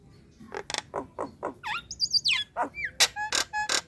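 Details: Female Nias hill myna in breeding condition calling to males: a rapid mix of harsh broadband notes, rising and falling whistles and clear pure tones, about a dozen separate notes in quick succession.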